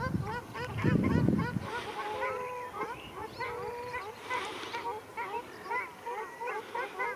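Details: Ruddy shelducks fighting at Arucas, Gran Canaria, on 13 February 2021: nasal, goose-like honks with strong overtones, repeated rapidly and overlapping throughout, with a brief low rumbling burst near the start and a man's voice just after.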